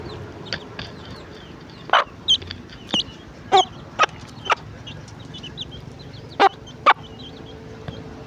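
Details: A hen clucks her chicks to breakfast: isolated abrupt clucks, some paired, every second or two, with faint high peeping of chicks between them over soft background noise.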